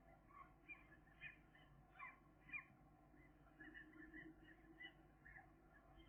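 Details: Gull chicks, thirteen days old and two remaining, utter a series of brief thin peeps, roughly two per second, some slightly rising, against constant low-pitched background noise.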